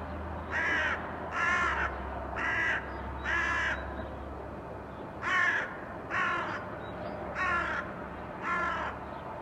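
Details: Crows calling under a blue sky in 2022: two runs of four hoarse, grating caws roughly a second apart, separated by a short pause, with a faint low rumble in the background.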